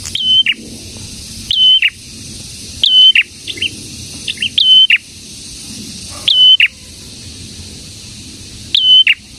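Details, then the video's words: Prinia (prenjak) singing persistently, its bright phrases of upslur, level whistle and gritty drop repeated about seven times, some closely paired, with a few softer short notes mixed in. "BURUNG PRENJAK GACOR"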